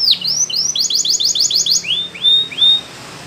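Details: Canary sings a training phrase: high swooping notes leading into a quick run of repeated trilled figures, then three slower, clear downward-sliding whistles, ending in quiet.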